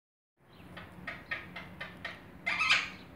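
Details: A 13-month-old pet Indian ringneck parakeet gives a run of short, scratchy syllables about every quarter second, ending in a louder, harsher squawked phrase, with a low household hum behind.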